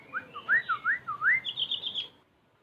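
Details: {'caption': 'Javan white-eye singing a quick phrase of clear, looping whistles that swoop up and down, then ending in a high, thin, rapid twittering trill before falling silent.'}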